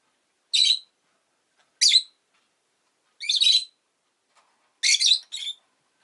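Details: Rosy-faced lovebird giving sharp, harsh chirps, four bursts spaced about one to one and a half seconds apart, the last a quick double note, against a quiet background.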